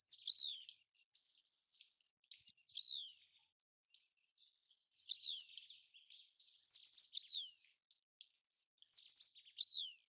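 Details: American golden plover calling in the migration and breeding seasons: high, clear whistles sliding downward, repeated every two seconds or so over a steady hiss of wind-like background noise.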